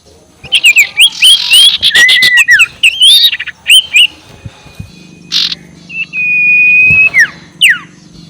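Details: Sirtu ngekek call used as a lure to make rival birds agitated: a busy burst of squeaky, twisting chirps and squawks, then a long flat whistle ending in a quick downward slide.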